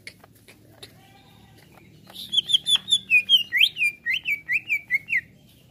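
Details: Greater green leafbird reacting to a sound played to it: after scattered faint ticks, a lively run of a dozen arched, whistled slurs delivered about twice per second.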